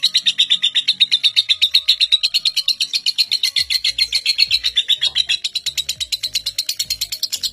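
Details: Lovebird performing the ngekek, a record seven-minute non-stop trill in Indonesia, used to train young birds: fast even series of high raspy chattering notes, several per second, with faint low knocks in background.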